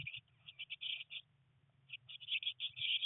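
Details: Three Eurasian blue tit nestlings on their nineteenth day in a nest box, during heavy rain and first flight attempts; bursts of high, rapid chirping in two clusters with a brief lull between, over a steady low hum.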